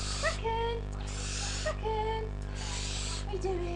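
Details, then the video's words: A 4-week-old captive barn owl, screeching and climbing the cage bars wanting out, gives three long, rasping hisses of about half a second each, with a person's voice murmuring underneath. "4 Week Old Baby Barn Owl"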